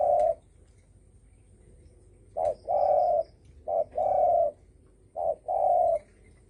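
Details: Thổ sấm cooing by a spotted dove, sung to provoke other birds. Well-spaced pairs of hollow coos, a quick note then a sustained one, come every one to two seconds. A faint high tone is heard once.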